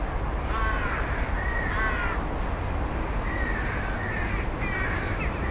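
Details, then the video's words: Rook calling with a series of rasping, drawn-out caws, about five in quick succession, heard over constant low-pitched background rumble. "Rook Bird Sounds"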